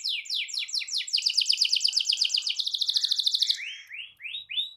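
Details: Rolling canary song used to stir other canaries to sing: quick downward-sweeping notes blur into a long fast rattling trill, ending with a few slower rising swoops.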